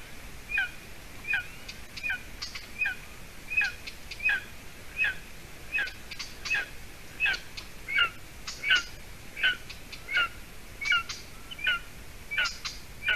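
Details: A golden eaglet, 52 days old, in a nest by a bog in Latvia, gives thin, high, slightly rasping notes about once a second, over faint hiss, around 6:20 p.m. on 30 June 2020, after the female brought poor food.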